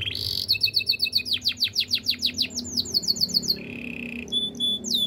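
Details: Canary singing a training song: a fast series of descending chirps repeated several times a second, swooping whistles, then a low buzzy trill and a ringing pulsed phrase.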